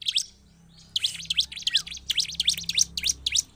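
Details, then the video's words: Lively Bar-winged prinia (ciblek) song for provoking other prinias: a faint note, a second of quiet, then a quick burst of loud, bright sweeping chirps nearly four per second. "Ciblek langsung ngamuk gacor dengar suara ciblek gacor ini/ pancingan ciblek"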